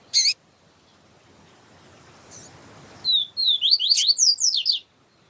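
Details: Papa-capim, a yellow-bellied seedeater, singing the siu siu song style as a tutor, with a female calling. A sharp click, a hushed pause, then a fast run of high, slurred, downward-sweeping whistles.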